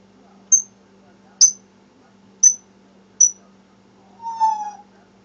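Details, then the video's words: Rescued female African grey parrot kept as a pet indoors, calling from another room out of sight: four short high whistles about a second apart, then a longer lower warbling note; quiet room hum underneath. "African Grey talking from the other room"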